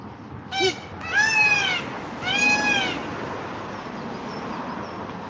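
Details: Peacock heard but unseen on a sunny day near a park and churchyard gives three loud, nasal, meow-like wails: a short one, then two longer drawn-out cries with a slight fall in pitch, over steady outdoor hiss.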